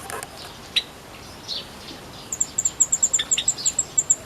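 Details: Sunda white-eye (pleci buxtomi) kept in a mini aviary, always singing actively, recorded on 1 November 2024: a few scattered chirps, then a fast run of thin, very high notes, about five per second, over steady background hiss.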